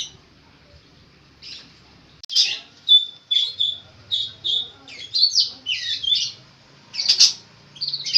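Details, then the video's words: Long-tailed shrike, a caged bird used for training others, singing mimicked phrases: clear whistled downslurs, sliding trills and scratchy notes in a varied, uneven sequence after a brief quiet start. "burung cendet gacor full isian unik"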